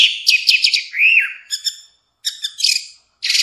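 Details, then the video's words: Varied song of an orange-headed thrush: rapid buzzy chirps, a smooth rising-and-falling whistle, then stuttered high notes and a harsh rasping phrase after a short gap. "Kumpulan suara istimewa Burung Anis Merah"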